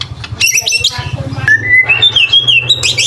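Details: White-rumped shama full song with mimicry, used as a training recording for young and adult birds: harsh chattering notes, then clear sliding whistles rising and wavering, ending in a burst of sharp high notes over a low hum.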